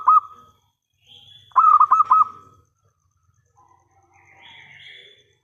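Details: Local zebra dove singing as a lure for answering birds; a short coo opens, then a phrase of about five rapid rolling notes, followed by soft, higher chirps of other birds.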